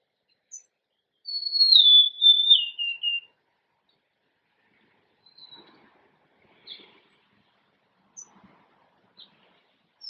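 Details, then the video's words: Golden-crowned sparrow singing one plaintive whistled phrase of about three notes, each slightly lower than the last, followed by faint scattered chips in otherwise quiet surroundings. "Natural Birds Voice, Bird Natural Sound.Golden crowned Sparrow."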